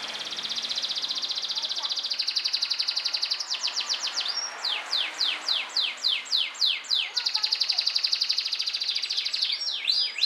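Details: Yellow canary that sings every day while set outside in the sun: long fast high trills alternating with series of loud sweeping downslurred notes repeated about three times a second.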